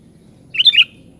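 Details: Single short, slurred whistled phrase from a sooty-headed bulbul, three or four quick bubbly notes, over a steady low hum.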